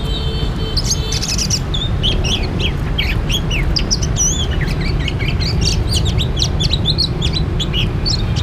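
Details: Oriental magpie-robin recorded during trapping: a brief steady tone at the start, then a long stream of varied chips, looping whistles and quick sweeps over constant low noise.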